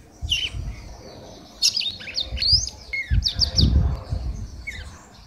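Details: Red-cowled cardinal female giving male-like song, clusters of quick bright notes with rising and falling slurs, a pause between phrases, and a low rumbling background throughout.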